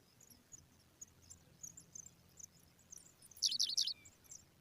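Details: Pipit nestlings being fed by a parent give rapid, very high thin chirps, scattered at first, then a loud dense burst of shrill begging squeaks about three quarters through.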